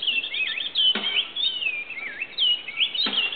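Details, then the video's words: Oriole warbler at Grand Popo, Benin: a steady stream of clear whistled notes, sliding up and down in loops and dips, nearly continuous, broken by two sharp clicks near one and three seconds. "Noircap loriot (Hypergerus atriceps, Oriole Warbler)"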